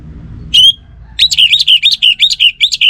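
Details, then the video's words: Caged orange-headed thrush gives a single bright whistle, then a fast run of sweeping, warbled notes repeated almost without pause, loud and clear over soft background hum. "Burung ANIS MERAH Lansung Nyaut Gacor Tanpa Henti"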